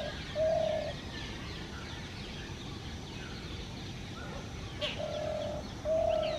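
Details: Spotted dove, a male calling in a tree to draw a female for nest building, gives low mellow coos, one early and a pair near the end, against light bird chirps and steady hiss.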